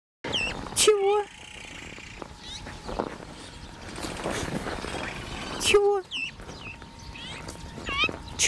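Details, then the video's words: A very tame azure-winged magpie at Novosibirsk Zoo, 11 February 2018, gives two drawn-out, mewing, complaining calls with rising and falling tones about five seconds apart. A person talks softly throughout, asking whether it is being bullied. "Голубая сорока жалуется"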